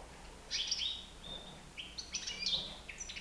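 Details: European goldfinch aged nine months flying free inside a living room; a sharp buzzy burst, a short pause, then lively high chattering notes and a rising whistle, faint room hum behind.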